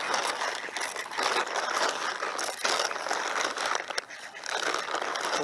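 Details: A man talks outdoors over steady street and traffic noise with some rustling, and no animal calls can be heard.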